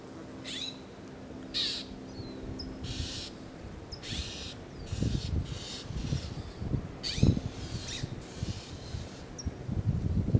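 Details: Northern mockingbirds harass a juvenile red-tailed hawk resting on a fence after eating a snake, giving harsh, raspy bursts about every second or two over a steady low wind rumble; recorded 4 July 2011.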